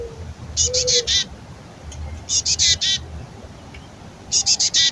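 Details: Raspy fledgling-like begging from a female black-capped chickadee before nesting season, as her mate brings food; three bursts of four to five harsh, buzzy notes about two seconds apart, over faint low rumble.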